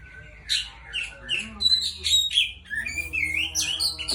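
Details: Afternoon song of an Oriental magpie-robin used as a lure to start other birds singing: a rich, varied medley of rising and falling whistles, sharp chips and short trills, delivered continuously over a constant low droning hum.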